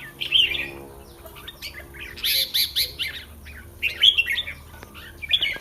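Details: Caged red-whiskered bulbul before a Thai singing contest, with warbled phrases near the start and end while a harsh rhythmic high chattering from other birds fills the middle.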